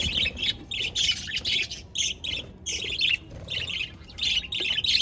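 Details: Budgerigars chirping, recorded 22 January 2024: dense bursts of harsh, buzzy chatter and squawky chirps, each lasting a fraction of a second, following one another almost without pause throughout.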